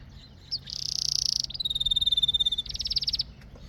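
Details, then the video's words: Singing canary delivering rolling trills: a bright, rapid high trill, a brief pause, a steady buzzing roll of even notes, then a faster pulsed trill, clean and high-pitched throughout. "Canary Singing"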